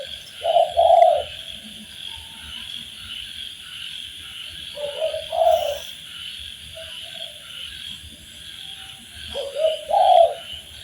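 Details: Spotted dove master recording for training birds: three low cooing phrases spaced several seconds apart, partly masked by a loud continuous high buzzing drone of insects.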